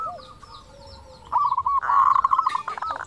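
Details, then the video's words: Local zebra dove in full song, a lure recording meant to make other doves answer quickly; after a quiet opening with faint background calls, a fast run of rolling cooed notes starts midway, then a brief higher, hooked phrase. "PERKUTUT LOKAL GACOR SUARA KRISTAL - Pancingan perkutut bikin cepat nyaut"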